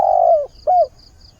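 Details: Decoy spotted dove with a voice suited to drawing in wild doves, cooing at daybreak to seek a mate: one long mellow note sliding down, then a shorter falling coo, with faint rhythmic high ticks behind.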